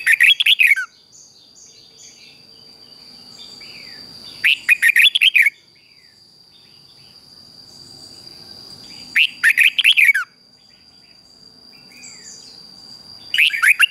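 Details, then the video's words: Morning song of a red-whiskered bulbul, used for training and stimulating weak caged birds. Short chattering, warbled phrases of rapid notes come roughly every four to five seconds. Quieter chirps and a constant thin high whine fill the gaps. "Luyện cho chào mào hót sáng | Luyện giọng chào mào hót hay kích chào mào yếu lửa ra âm"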